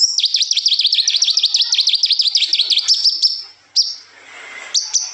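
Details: Kolibri ninja sunbird singing in the liukan and besetan style, recorded as a tutor song for young birds: a fast run of about three sharp, high downslurred notes per second, then thin drawn-out whistles and a short silence.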